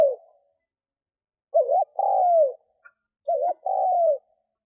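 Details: Lure spotted dove cooing to attract wild doves. The end of one coo is followed by two full phrases, each a quick double note and a drawn-out descending coo. A tiny click falls between them in otherwise silent surroundings.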